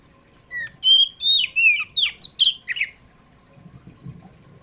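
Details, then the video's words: Oriental magpie-robin singing in the afternoon as a lure for pet birds: a two-second run of loud, varied whistles with rising and falling slurs, then quiet with a low background murmur. "PANCINGAN KACER.KACER POCI RUMAHAN JENIS APAPUN PASTI IKUT GACOR NGEPLONG DENGAR SUARA INI"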